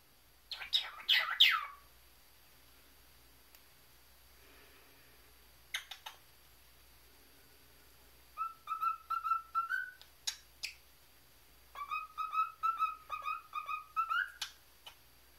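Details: A male pet cockatiel, trained for a month, whistles tunes such as "If You're Happy and You Know It" and the Andy Griffith theme in steady rising phrases with bright chirps, then says "gimme kiss, what are you doing".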